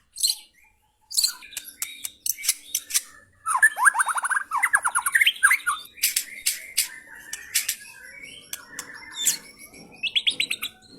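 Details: White-rumped shama (F3) giving harsh 'materi kasar' song: sharp clicks and chips, then a series of rapid downward-swept notes, dense scratchy chatter, and a short rising trill at the end.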